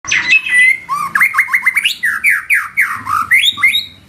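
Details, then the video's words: White-rumped shama singing energetically with rapid 'nembak' bursts and 'isian' filler phrases: a fast run of loud whistled notes, upward-sweeping slurs and down-slurred chirps near mid-high pitch, delivered almost continuously for four seconds. "Murai batu nembak isian gacor"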